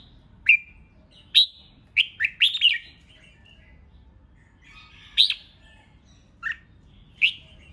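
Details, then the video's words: Red-whiskered bulbul in competitive 'hót đấu' singing meant to provoke rivals; sharp whistled notes spaced by pauses, a fast cluster of four ringing whistles early on, then scattered single bright notes after a long gap. "Kích Chào Mào Hót Ché/ Kích chào mào hót đấu hay nhất,bổi nghe là hót theo,khiến bổi ức chế căng lửa"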